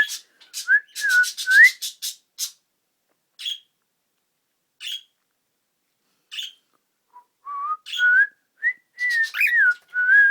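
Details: Cockatiel trying out "Kotori no Uta" in bursts: a few slurred whistles with scratching noise, long pauses broken by single chirps, then a rising run of whistled notes with a final wavering phrase.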